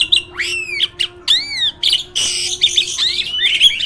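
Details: Caged hybrid jalak master bird delivering harsh squawks mixed with swooping rising and falling whistles and a noisy rasping burst in the middle, sounded close to other birds for training.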